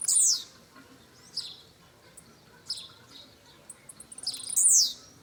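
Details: Pardinho blue-black grassquit in song, giving loud shrill descending buzzy phrases at the start and end with quieter high chips and short notes in between, over a quiet background.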